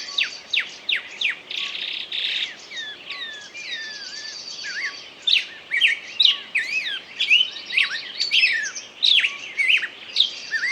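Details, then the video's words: Long stretch of bird song with quick downslurred whistles and chatter, several overlapping trills, and bursts growing denser toward the end. "пение птицы"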